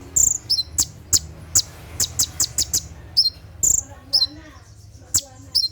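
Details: A Brown-throated sunbird sings its 'tembakan' shooting phrases at night, for training captive birds: rapid, shrill high chips with occasional longer slurred notes, thinning out toward the end over a soft low rumble.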